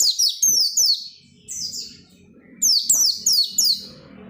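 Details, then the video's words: Oriental white-eye, a lively persistent singer used to prompt other white-eyes to sing: bursts of high, thin descending whistled notes in quick runs of three or four, pausing between phrases, over a faint low hum. "SUARA PELECI GACOR NGOTOT BIKIN PELECI LAIN RAJIN BUNYI BUKA PARUH"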